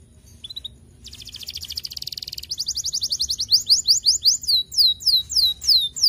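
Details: Young canary lure song meant to make other canaries answer: a faint note, then a rapid buzzy trill, then a quickening run of sharp downslurred whistles that grow steadily louder.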